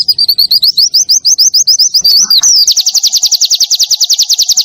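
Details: White-eye (pleci) training song for caged birds, clear and long: a fast series of high sharp chirps, each rising, nearly four per second, then a brief twitter and a quicker run of buzzy trilled notes to the end.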